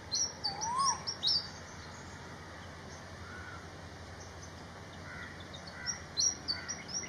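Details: Malaysian pied fantail (Rhipidura javanica) in Malaysia, calling with quick bursts of thin, high chirps at the start and again near the end, one short rising whistle, over a steady background hiss.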